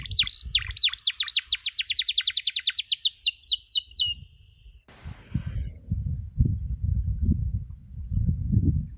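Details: Canary training recording for birds learning the cuit cuit sound: about four seconds of fast, accelerating descending chirps, then low rumbling noise with no singing.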